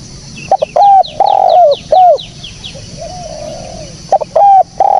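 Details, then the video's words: Spotted dove lure call, clear and clean: a phrase of stuttering short coos and a long wavering one, a softer distant coo in the gap, then the phrase starting again, with high chirps behind. "SUARA BURUNG TEKUKUR BERSIH JERNIH"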